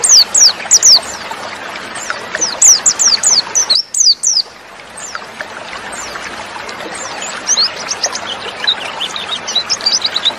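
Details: White-eye female, recording meant to get males singing: loud high chirping and whistled slurs in the first few seconds, a brief drop-out, then softer, more distant high notes continuing.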